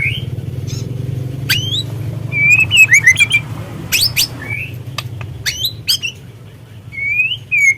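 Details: Lure recording of white-rumped shama (murai trotol) for triggering other birds to sing: sharp sweeping whistles and clicks scattered between clear warbling slurs, with a low background hum throughout.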